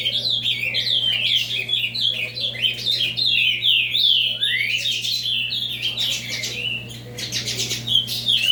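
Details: Ultramarine grosbeak delivering an avalanche song: cascades of downward-slurred whistles tumbling one after another, then denser buzzy trills toward the end, with a faint steady hum in the background.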